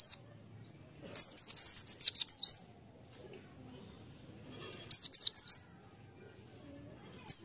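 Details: White-eye used as a lure, singing a long run of about ten rapid, high, sweet twittering notes, then a shorter burst of four or five a few seconds later, closing with a single sharp chirp.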